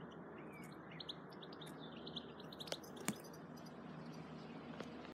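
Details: A European goldfinch calling in the sun on a warm summer day in June gives quick, high, tinkling chirps in loose irregular bursts, about three per second, over a steady hiss of background noise.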